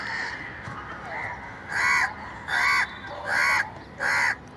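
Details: Naturally recorded crow giving four loud, harsh, even caws about once a second, after softer, fainter caws at the start, with low background noise throughout.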